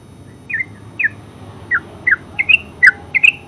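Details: Yellow-vented bulbul (terucuk) giving spaced, slurred chirps, each a short downward-bending note about every half second, some doubled, over a low steady hum.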